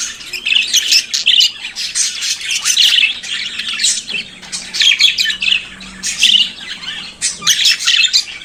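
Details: Morning song of a budgerigar, a bird kept as a pet: long bursts of rapid chirps, squeaks and grating buzzes, broken by brief pauses, with a faint low hum underneath.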